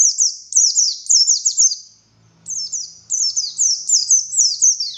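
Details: Buxtoni Oriental white-eye giving its 'ngalas' song: fast high-pitched chains of downward-slurred, sibilant notes in about one-second bursts, broken by a brief pause midway, with no other sounds of note.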